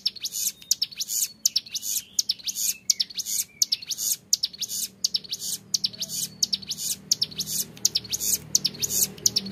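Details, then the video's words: A young Hill Prinia sings a drawn-out ngebren rattle with a clear voice, a steady run of loud, high, scratchy bursts. A low steady hum sits beneath. "CIBLEK GUNUNG MUDA GACOR NGEBREN PANJANG SUARA JERNIH"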